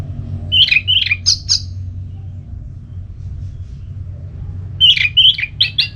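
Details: Orange-headed thrush (Geokichla citrina), likely a kept bird, gives short bursts of rich, varied whistled 'ngeplong' song phrases: a run of four notes, a pause, then another run, over a low indoor rumble.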